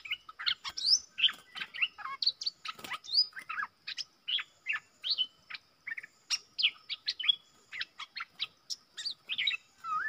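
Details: Decoy bulbul singing to wild birds: steady stream of short clear chirps and upslurred whistles, roughly two or three per second, over a faint steady hum.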